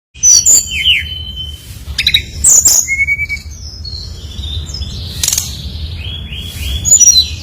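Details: Brown-chested jungle flycatcher singing actively, used as a lure to prompt others to sing: clear whistled phrases with slurred high notes and falling and rising glides, separated by short pauses, over a low background hum.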